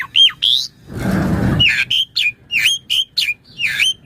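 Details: Asian pied starling singing, a recording for training and luring starlings: loud whistled slurs, a long harsh hissing rasp, then repeated upward-hooked whistles at a steady lively pace.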